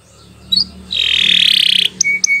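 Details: Canary song, recorded as a long continuous song for training other birds: a short high note, then a dense buzzy rattling trill for about one second, followed by a few sharp high whistled notes.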